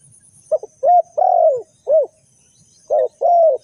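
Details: Spotted dove calling, a recording used as a lure for bird trapping: low, mellow coos in short-then-long pairs, each long note sliding downward, with a brief pause between phrases and faint high hiss behind.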